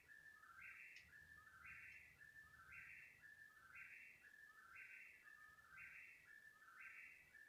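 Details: Unidentified bird calling persistently for about thirty minutes at 3 in the morning: a two-step whistled phrase, lower note then higher, repeated roughly once per second, about seven times, over faint low background hum.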